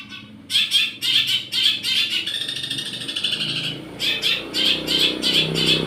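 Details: Buzzy repeated chatter from a long-tailed shrike singing its church-sound imitation, a drawn harsh passage in the middle, faint mechanical noise in the background.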